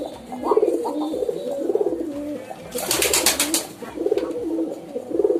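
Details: Pigeon cooing: low, throaty rolling coos repeated roughly every second, with a brief burst of broadband flapping or rustling noise in the middle.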